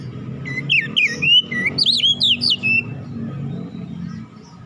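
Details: Oriental magpie-robin lure song meant to provoke other birds to sing: a run of sliding whistles and looping notes over nearly two seconds, set against a noticeable low rumbling background.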